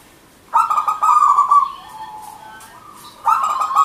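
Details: Zebra dove of local wild origin singing: a long phrase of stuttered, rolling coos fading into a soft trailing trill, then a new phrase beginning.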